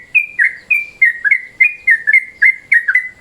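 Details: Midday-mode yellow-vented bulbul call, used as a lure. Quick bubbly whistled notes, some slurring down and some held level, tumble out about three times a second in a lively chatter.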